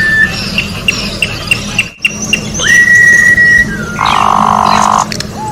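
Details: Orange-backed troupial singing in nature, a song for tutoring birds: a run of short clipped chips, then a long steady whistled note, then a harsh buzzy burst lasting about a second, with a low steady hum beneath.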